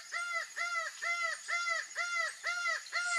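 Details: Laughing falcon, also called acauã, calling in a steady series of about seven arched, nasal two-part notes, roughly two per second. Each note has a rich, harmonic tone and a falling tail. There is no other clear sound.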